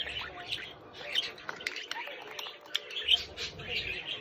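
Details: Young pet budgerigar making busy, scratchy chirping and twittering, with short sharp squeaks scattered through, over a faint low hum from the room.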